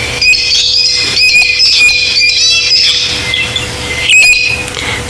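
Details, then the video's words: A recording of a Cape parrot call, played on an evening safari drive on 13 March 2022 for comparison: harsh, screechy squawks in quick bursts, steadier and more solid in tone than a brown-headed parrot's, over a faint steady hum. "that's the cape parrot it sounds a little bit more solid if I can put it that way then the brown headed parrot"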